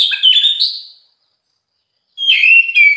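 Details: Oriental magpie-robin (kacer) song fragments, recorded at some time across morning, afternoon and night: a brief run of rising whistles, a second of silence, then a bright burst of chirped and whistled notes.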